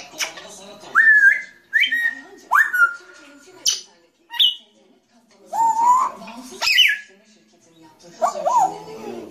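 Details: Grey parrot calling in a varied series of short upswept whistles, falling whistled notes and brief harsh squawks, spaced about one per second with short pauses between.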